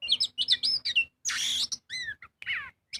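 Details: Magpie-robin (kacer) in full loud song, used as a lure to make other birds sing: varied whistled phrases, a harsh buzzy burst, then clear downslurred whistles broken by short pauses.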